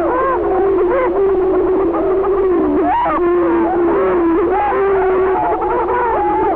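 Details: Several rival male Greater Prairie Chickens on a spring booming ground in Benton County, Missouri, in territorial disputes give a low, steady, hollow booming drone overlaid with wavering higher whoops and cackles.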